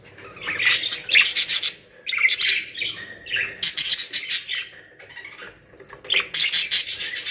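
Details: Several captive budgerigars, a new collection of Australian parrots kept in Pakistan, give loud bursts of rapid, high chirping and warbling chatter in short phrases with brief pauses between, in a small indoor space.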